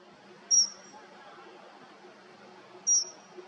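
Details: Dunnock (Prunella modularis), call.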